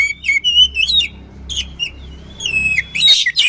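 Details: Oriental magpie-robin song for bird training: clear rising whistles and short slurred notes, a few faint thin notes, then a loud buzzy burst of tangled phrases at the end.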